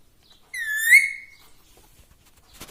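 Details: Pet talking parrot gives a single clear, whistle-like held note lasting under a second, slightly rising, followed by quiet and faint rustling.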